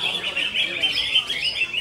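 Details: Greater green leafbird in konslet-style song, a brief burst of fast, high, twittering and buzzy notes packed closely together in a continuous warble, with faint voices underneath.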